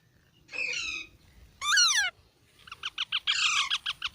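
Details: Baby parrots: a buzzy harmonic call, a loud descending squawk, then a fast run of short clipped chattering notes.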